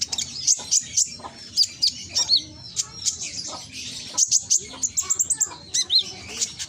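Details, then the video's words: Loud konin song used as a lure in Gresik, East Java, to get lazy birds calling back; bright high chirps in quick clusters, short upslurred whistles and rapid twitters, with brief pauses between phrases. "Pancingan konin yang malas bunyi langsung emosi ikut nyaut"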